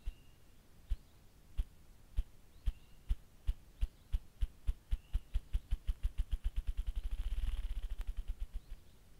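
Ruffed grouse drumming: deep, muffled wing-thumps that start slow and speed up into a rapid whirring roll, with faint high bird notes behind.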